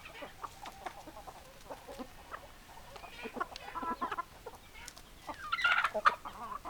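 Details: Chickens clucking in a group, quieter scattered clucks at first, building to louder, harsher squawking calls toward the end.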